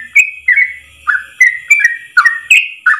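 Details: Rapid 'ropel' song of a Yellow-vented bulbul, delivered as one long breath for training other birds. Short slurred whistles alternate high and low in quick bursts, with a thin constant whine behind them.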